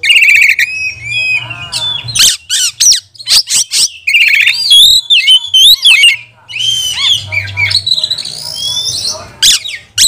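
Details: Caged Oriental magpie-robin (kacer) in full, fiery song meant to provoke and train other magpie-robins: rich mix of whistled phrases, sharp clicks and scratchy chatter, bursts and pauses, with a steady low hum beneath.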